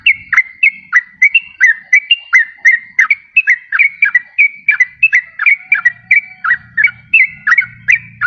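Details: Yellow-vented bulbul lure song meant to attract wild birds and get lazy caged birds singing: a long, even series of crisp, slurred whistles in pairs, with a soft low hum in places.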